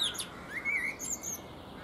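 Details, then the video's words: A Common blackbird sings on a fruit tree, where it also preens: a short, mellow fluted phrase slurring up and down, with thin, high squeaky notes around it. "Blackbird Singing"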